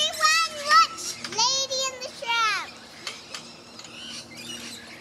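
Rainbow lorikeets squabble with loud, squealing, pitch-bending shrieks in quick bursts over two seconds, then fade to softer chattering.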